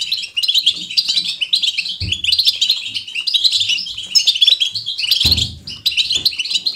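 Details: European goldfinch, kept as a pet bird, singing a lively, natural twittering song. Rapid chattering, tinkling notes run almost without pause, with two brief low thumps.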